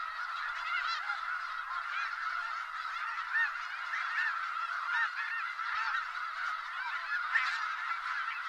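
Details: Large flock of snow geese in Skagit Valley, close at hand: a dense, continuous chorus of overlapping nasal honks and yelps, steady throughout with no pauses, occasional louder honks standing out above the mass.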